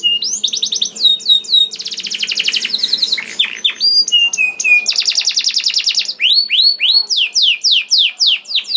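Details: Loud 'gacor' canary song meant to trigger other canaries into singing: varied phrases of rapid buzzy trills and rattles alternate with clear sliding whistles and runs of high, downward-swept notes.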